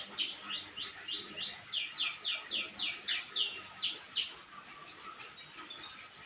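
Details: Canary in energetic song, delivering a fast series of bright, falling whistled notes in quick bursts, then trailing off into near quiet for the last couple of seconds.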